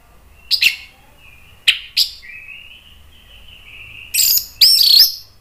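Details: Agitated orange-headed thrush song meant to trigger other birds into singing: a few sharp strokes, a long level thin whistle, then loud rich ringing phrases at the end.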